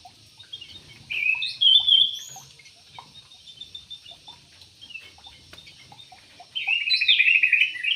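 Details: Yellow-vented bulbul in an aviary: a cheerful warbled phrase early on, a long near-silent stretch with faint ticks, then a rapid trilled burst at the end.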